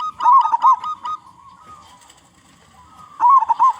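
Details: Zebra dove (local perkutut) with a strong voice, sung as a lure for other doves; a burst of quick rolling coos, a quieter steady hum, then another rolling phrase at the end.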